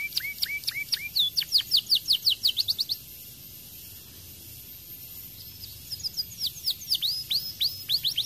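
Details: 'Gacor' canary sings a fast run of sharp down-slurred chips and rising whistles for about three seconds, pauses in silence, then resumes with similar bright, high, rapid notes.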